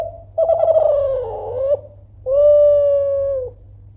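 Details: Kelantan-type spotted dove (derkuku, tekukur) cooing loudly to provoke rivals into answering: a wavering, slightly falling first coo lasting over a second, a pause, then a long, steady, level second coo, with a low hum underneath.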